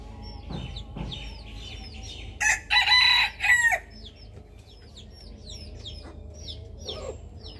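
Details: Rooster crowing on a rooftop: a loud, harsh crow of three rough segments lasting about a second and a half, set against constant high, thin, downward-sliding peeping chirps before and after.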